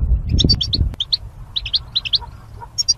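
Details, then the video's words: Caged goldfinch set up in mating pairs behind wire barriers, used for singing training: quick bright chirped notes in short clusters, some doubled, over low rumbling background noise and a sharp click near the first second. "Goldfinch Chirping Sounds"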